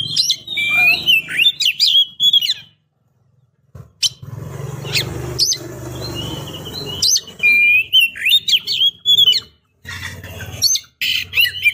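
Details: Breeding female Oriental magpie-robin calling to a male: bursts of sharp, twisting whistled chirps separated by a stretch of loud broadband rustling and low hum, with the chirped phrases returning near the end.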